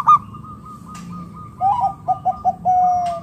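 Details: Local zebra dove used to coax other doves into calling: a sharp opening note, then a quick series of short clipped coos ending in one long, level drawn-out coo.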